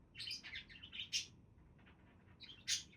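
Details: Several pet budgerigars chattering: bursts of quick, scratchy chirps and warbles run together, with two sharper, louder squeaks near the middle and the end, over a faint low hum.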